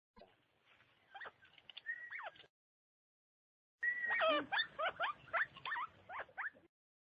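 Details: Chinese francolin call played as a hunting lure: after a quieter opening of scratchy notes and a gap, a loud burst of harsh, chattering, rapidly repeated rising and falling notes follows.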